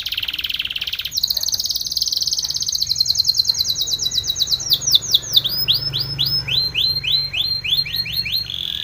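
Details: Spanish Timbrado canary song for training: a fast high trill rolls on, then gives way to a series of rapid descending whistled slurs repeated roughly twice a second, ending in a steady buzzy trill.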